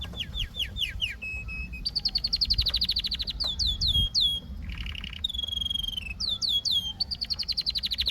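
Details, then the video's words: Canary song of varied repeated phrases: falling whistled syllables repeated in quick series, a low steady tone, fast trills, and a long pure whistle, switching tours every second or so. "Canary Singing"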